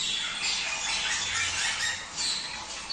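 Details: Short burst of budgerigar courtship chatter played to stimulate pairing: dense, rasping warble with a few thin whistled notes, dipping briefly before the end.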